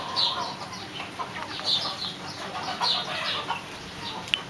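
Swinhoe's pheasant giving short, clucking, fowl-like notes repeated about every second and a half over a steady background hiss.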